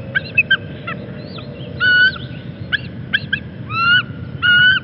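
Canada Geese honking in a loose series, loud nasal two-part honks with rising and falling inflection, several birds overlapping, over a low rumble of background noise.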